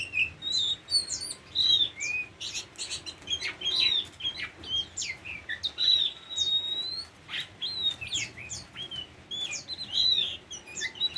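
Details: Tame Oriental magpie-robin delivering a long, varied song of whistled slurs, short harsh notes and quick chirps in irregular bursts, with short gaps, over a soft low background hum.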